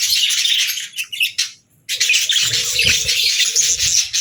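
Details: Several budgerigars singing in a busy chorus of scratchy warbles and rapid chirps, falling briefly quiet around one and a half seconds before resuming in a steady chattering stream.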